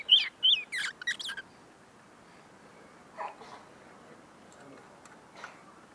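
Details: A tame caged Common linnet, still refining its song notes and recorded right beside its cage, sings a quick burst of bright, twittering, buzzy notes, then a few softer chirps after a pause, over a quiet background.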